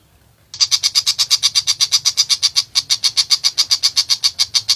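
Long-tailed shrike giving a harsh, rasping chatter of rapid repeated notes, about six or seven a second, held steadily for four seconds over a faint low hum.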